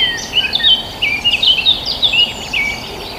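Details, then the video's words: Birds chirping in a rural countryside setting: bright, high twittering notes and short whistled slurs, some rising and some falling, in quick irregular bursts that overlap, with a faint steady hiss beneath. "the sound of birds chirping"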